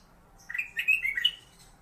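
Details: Kept black-capped bulbul (kutilang emas) singing a 'master' song, used as a tutor for magpie-robins. One short phrase of four or five quick whistled, slurred notes, slightly rising at the end, against a quiet background.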